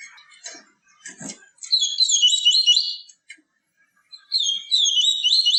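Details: Yellow-bellied seedeater, tui tui viviti song type, a pure song meant to stimulate and teach caged birds: a few soft chips, then two rapid, warbling phrases of high slurred notes separated by a short pause.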